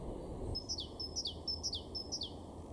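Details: Great tit in a garden in Weener, East Frisia, far northwest Germany, April 2023, repeats a bright two-note phrase, a high note then a dropping slur, about twice a second, over a steady low rumble.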